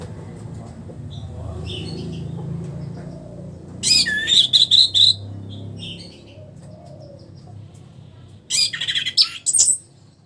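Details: Caged orange-headed thrush after its moult, beginning to sing openly again: two bursts of rapid, sharp, high chattering and whistled notes about four seconds apart, over a steady low hum.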